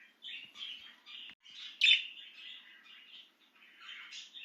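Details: Excited budgerigar free of its cage, keeping up a steady high scratchy warble with a single prominent sharp click partway through.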